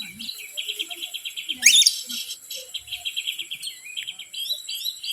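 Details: Oriental magpie-robin song used as a lure to provoke other birds: a dense run of rapid, scratchy chirps and trills, mostly high-pitched, with one loud sweeping note near the middle and faint low murmurs underneath.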